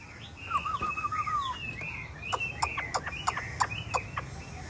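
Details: A hwamei with yellow legs, bill and feathers gives a wavering low trill, then overlapping higher whistled slurs broken by sharp click-like notes.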